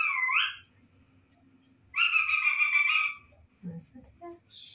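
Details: Pet parrot, a talking bird that also copies a dog's bark, giving cat-like meows indoors: a short rising mew, then a longer flat, buzzy meow, followed by soft low mutters and a brief high squeak.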